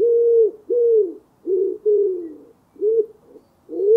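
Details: Common wood pigeon (Columba palumbus) cooing: low, hoarse, mellow hoots around half a second each, repeated in a steady rhythmic phrase with no other sounds.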